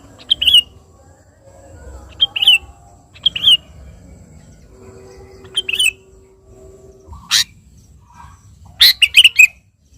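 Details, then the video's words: Sooty-headed bulbul song aimed at calling a rival: single short whistled phrases spaced about a second apart, then a harsh broadband burst and a final tumbling run of whistles, over steady low background noise. "suara burung KUTILANG GACOR memanggil lawan"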